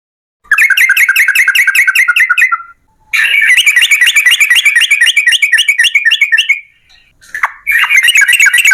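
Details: Yellow-vented bulbul in long fast runs, a lure recording to make other bulbuls sing: extended bursts of rapid, buzzy notes repeated about four per second, with a brief pause and a short final burst.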